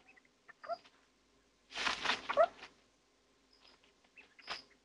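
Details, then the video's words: Two territorial male little owls clash, one very angry at the other: harsh, hissing screeches traded with short squeaky yelps and a thin high whistle in an irregular burst of agitated calling. "Опять разборки маленьких сов!"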